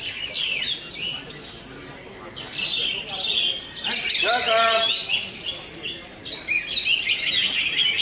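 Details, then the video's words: An orange-headed thrush (anis merah) competing at Jateng Fest 2023 in Semarang, where it won outright, sings rapid, high, rich warbling phrases, overlapped by several other songbirds, with a brief low human-like voice midway. "Anis Merah "RA UMUM" Teleeer Parah"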